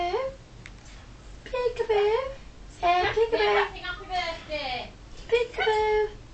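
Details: A 3-year-old male pet yellow-fronted amazon parrot talks in four or five short, nasal, high-pitched phrases with sliding pitch, about a second apart, in a quiet room; he also says "peekaboo" and "hello".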